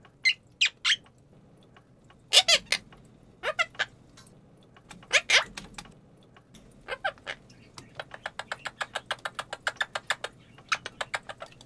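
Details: Monk parakeet kept as a pet, mimicking a budgerigar during an unplanned indoor recording: scattered bright chirps and squeaky notes, then a fast run of clipped ticking clicks, about three a second, in the last four seconds.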